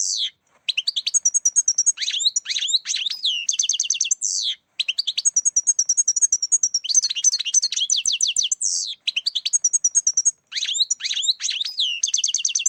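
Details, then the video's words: Lure song of a European goldfinch for trapping birds. Bright tinkling twitters mix with rapid repeated notes and buzzy downslurs in near-continuous phrases with short gaps. "Saka yakalama sesi"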